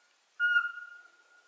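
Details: Eurasian pygmy owl, a small dusk-active owl of coniferous and mixed forests in Ukraine, giving a single clear, steady whistled note that starts sharply and fades slowly over about a second.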